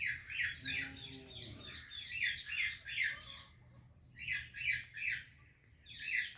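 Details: Parrots greeting each other, an Indian and a Pakistani bird, trade rhythmic triplets of scratchy squawks with short pauses. A brief lower buzzy tonal sound comes early on.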